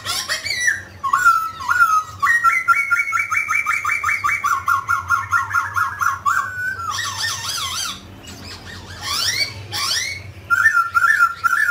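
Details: Mutant grey laughingthrush singing and dancing: long strings of quick, bubbling whistled notes rise and fall, broken by harsh chattering bursts, and close with repeated wavering whistles.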